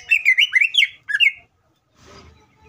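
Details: Greater green leafbird singing vigorously, used to provoke other leafbirds into singing: a fast run of warbled, slurred whistles rising and falling around high pitch, a shorter burst after, then a soft rustling noise.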